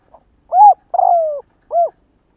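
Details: Spotted dove calling one full 'kích bổi' stimulating phrase in quiet surroundings: a soft short note, a bright coo, a longer downward-sliding coo and a final curved coo.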